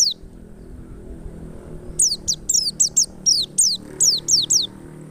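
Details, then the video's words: Lure song of a wild forest white-eye, or pleci ngalas, meant to make other white-eyes open their beaks and sing: after a quiet start, a steady string of about a dozen quick, high, downward-slurred whistles. "PLECI NGALAS power super mantap PAS banget buat PANCINGAN PLECI agar buka paruh"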